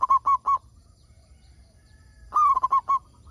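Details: Zebra dove of local stock, used to prompt other zebra doves to sing: a clipped run of three loud cooing notes, a pause, then a fuller phrase of four or five rapid rolling coos.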